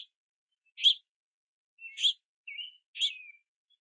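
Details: Young house finches in the rain beg their parents at a backyard feeder: a few spaced, raspy chirps mixed with thin downslurred whistles over about four seconds.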